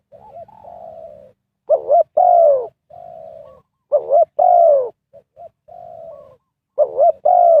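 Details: Lure spotted dove calling wild birds during trapping. It gives rhythmic cooing phrases, each a quavering double note, a loud down-slurred coo and a quieter flat coo, roughly every two to three seconds.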